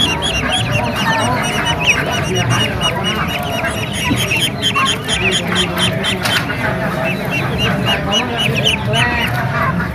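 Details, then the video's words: Ducklings at an animal market: a dense, unbroken chorus of many short, high chirping peeps that overlap throughout, over steady crowd murmur and market background noise. "Suara anakan bebek Kwek Kwek di Pasar Hewan, Suara Bebek Asli"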